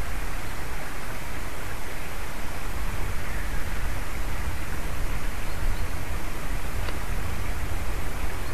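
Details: Loud, constant low rumble and broadband roar like wind or rushing water run throughout, with no animal calls.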